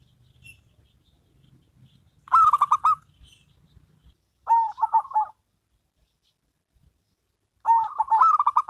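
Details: Duet of a local zebra dove and a crossbred zebra dove. Three bursts of quick, trilled cooing phrases, each lasting about a second, are separated by pauses. Faint low rumble is heard early on.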